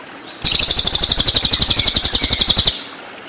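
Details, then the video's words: Cililin song burst used to train white-rumped shama: a loud, rapid, buzzy high-pitched trill of evenly pulsed notes running a little over two seconds, starting and ending suddenly, with a faint background hiss. "MASTERAN CILILIN FULL TEMBAKAN"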